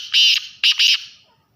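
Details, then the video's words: Male Black francolin giving its breeding call: three loud, harsh, grating notes, a longer first note followed after a short pause by two quick clipped notes, with a clean, quiet background. "کالا تیتر بلائی ویڈیو"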